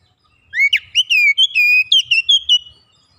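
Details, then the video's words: Raw kacer bird under training gives energetic gacor song with isian fill: a compact series of loud, clear whistled notes, each sliding up or down, packed into about two seconds. "Kacer bahan langsung gacor bongkar isian"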